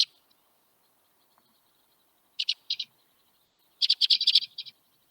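White-winged Crossbill flight calls: dry, buzzy, mechanical chet notes, first a pair, then a rapid burst of about eight, high-pitched and otherwise quiet.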